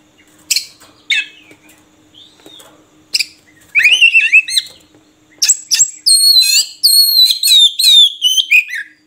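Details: Murai kampung, or Oriental magpie-robin, starts with sparse sharp ticks and short notes, then builds into fast varied song of sliding whistles and chattering buzzes, ending in a long descending whistled run; faint low hum underneath.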